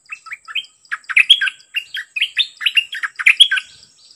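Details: Caged decoy dok taeng bird singing against a very aggressive wild-caught bird: loud, quick run of short chirped and whistled notes, rising and falling, in close irregular bursts over a quiet background.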